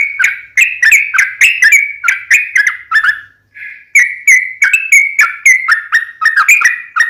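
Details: Sooty-headed bulbul song used as a lure to make other birds answer: rapid bubbly whistled phrases repeated in quick succession, a brief pause mid-way, then the chattering series resumes.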